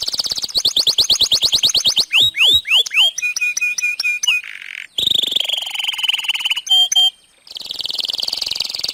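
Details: Long, continuous singing from a canary, used to get other canaries singing: fast rattling trills give way to steeply falling whistles, repeated clipped notes, a rolling buzzy phrase and a final high trill.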